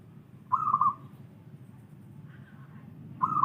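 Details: Local wild zebra dove song: a short, rapidly trilled, quavering coo phrase of about half a second, with a second phrase starting at the end, over steady low rumbling background noise.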